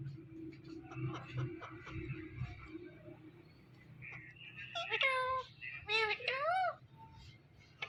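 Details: Indian ringneck talking parrot, kept as a pet, uttering several rich wavering speech-like phrases after a stretch of murmuring background noise.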